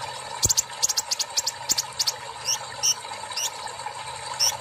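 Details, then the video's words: Brown-throated sunbird after a water bath, singing in the "siss" style; quick series of high sharp ticks, then spaced sibilant whistles, against a persistent background hum. "TARIK SISS...KONIN /KOLIBRI NINJA GACOR SETELAH DI TERAPI AIR"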